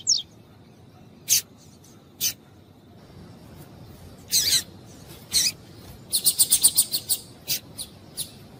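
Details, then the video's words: Rusty-collared seedeater female calling to warm up the male: isolated sharp chips separated by pauses, then a rapid run of about eight clipped notes and a few fading chips. "COLEIRO TUÍ-TUÍ E FÊMEA CHAMANDO ESQUENTAR COLEIRO"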